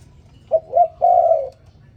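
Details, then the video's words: Spotted dove in the morning giving one clean phrase: two short rising notes, then a sustained mellow coo, over quiet background. "Morning dove, Sound Spotted Dove ln The Morning So Beautiful"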